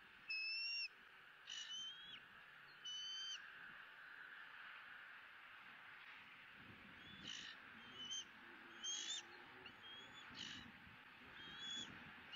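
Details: Nestling bald eagle in Southwest Florida, 20 April 2017, squealing at the second fish feeding of the day. Scattered short, high whistled squeals, louder early and softer later, over steady background hiss.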